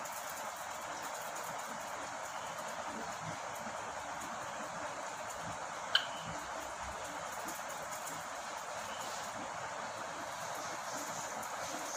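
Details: Steady broadband hiss like distant traffic or a passing train, with one sharp click midway. No animal voice stands out.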